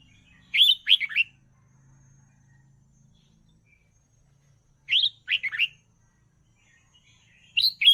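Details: Red-whiskered bulbul singing for training young birds, repeating the same bouncy three-part whistled phrase about every three and a half seconds over a faint low hum.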